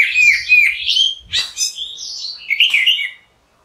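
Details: Song of an orange-headed thrush: a fast run of warbled, slurred whistles sliding up and down, with a sharp click midway before the phrase trails off into silence.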